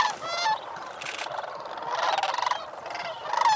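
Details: Chorus of sandhill cranes on their night roost water at Bosque del Apache, New Mexico, shortly after sunrise on a cold November morning before flying to cornfields; many overlapping rattling, bugling calls, with brief rushing noise bursts, likely wingbeats.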